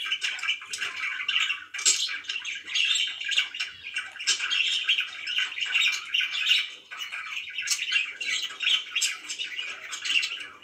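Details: Pet budgerigars chirp and warble for a long, busy stretch: scratchy chatter mixed with squeaky high notes, in rising and falling bursts.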